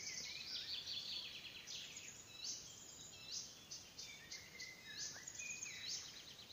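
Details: Icterine warbler singing at Salmentaka, Pälkäne, Finland, on 12 June 2017: a fast, varied, chattering medley of high buzzy, scratchy and whistled notes, quite distant, over a steady background hiss.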